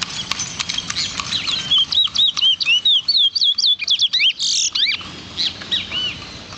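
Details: Towa towa, or lesser seed finch, caged at a home in Clonbrook, Guyana, January 2008. A fast burst of bright, slurred whistles runs for about three seconds, broken by a short harsh note, over rustling and room noise.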